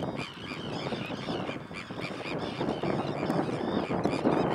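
Sandwich terns give harsh, grating 'kirrick' calls, many birds overlapping in a busy, continuous colony chorus with a low rumble of background noise.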